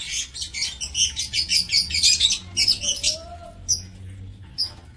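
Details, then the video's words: Aviary lovebirds on 7 April 2024 give rapid, shrill, scratchy chirps in a dense run of about nineteen notes over three seconds, then a few scattered squeaks, over a faint low hum. "Aviary Lovebird"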